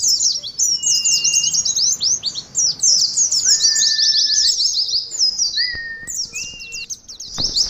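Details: Competing 'ngalas' song of Oriental white-eyes used as therapy audio: nonstop torrent of thin, fast, downward-sweeping notes from several birds, punctuated by drawn-out steady whistles at lower pitch.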